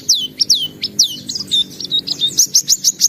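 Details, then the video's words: Energetic white-eye song showing off its varied notes: quick, high whistled slurs and squeaky chirps repeated about three per second, with a faint low hum underneath. "Suara Burung Pleci Gacor Buka Paruh Bongkar Isian"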